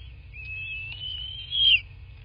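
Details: Bald eagle calling from its nest in southwest Florida, nest camera recording of 8 March 2024 at 11:00; one long thin whistle rising gently, then a louder squealing end that falls away, over a low steady rumble.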